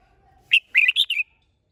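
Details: Red-whiskered bulbul whistling a brisk five-note phrase, loud and clear, notes rising and falling; a faint thin steady tone sounds just before it.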